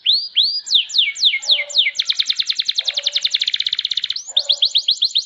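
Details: Champion canary with rising whistles, fast descending notes and a long dense rolling trill; a faint lower chattering bird is heard beneath at times.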